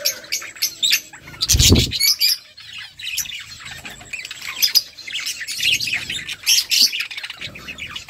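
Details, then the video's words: Budgerigar flock feeding: busy high-pitched chattering and squawky chirps throughout, broken by a brief low thump or rustle early on and a few scattered soft knocks. "Beautiful budgies flocks birds chirping sounds budgie eating"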